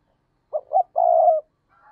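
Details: Decoy spotted dove cooing: two short, quick, low notes, then one drawn-out hollow coo lasting about half a second. Faint higher cooing is heard at the very end.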